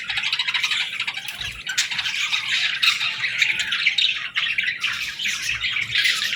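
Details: Baby budgerigars calling for food, a dense continuous chorus of harsh, scratchy chirps and squawks overlapping without pause.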